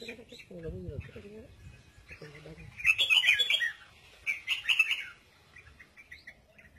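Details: Captive red-whiskered bulbul singing in a double-voice style. Bright, warbled phrases come in two loud bursts with short gaps between them. Low, wavering sounds and background music run underneath.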